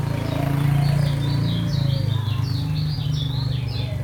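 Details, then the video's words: Lombok lemon-bellied white-eye, known locally as kecial kuning, in slow ngejos song: thin high chirps and slurred notes repeated quickly, partly buried under a loud, steady low hum. "SUARA KECIAL KUNING LOMBOK NGEJOS SELOW"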